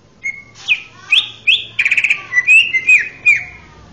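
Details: Melodious song of a male greater green leafbird, recorded as training material for young birds, with a thin whistle, sharp upslurred notes, a short buzzy rattle and varied warbled whistles. A faint low hum runs underneath.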